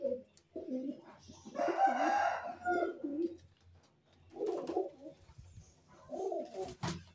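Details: Caged pigeons with young: low, rolling coo-like phrases in three separate bursts, with soft clicks and rustling in a small room.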